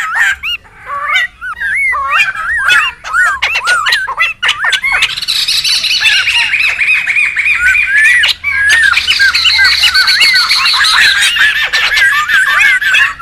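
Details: Laughingthrushes in the wild, a noisy call used for bird luring and tutoring: scattered sharp squawks and slurred notes at first, then a thick, unbroken chattering chorus of many overlapping birds.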